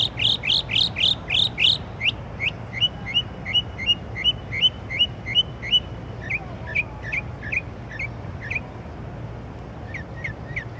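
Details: Unidentified songbird singing in the middle of the night with a varied repertoire: rapid series of sharp rising chirps, then a steady run of repeated short notes about three per second, changing to downslurred phrases; low steady hum behind.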